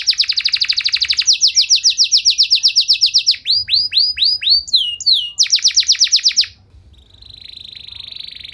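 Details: Canary in long song meant to provoke other canaries: a dense rapid trill shifts into looping whistles, a brief rattling burst, then a soft thin sustained trill at the end.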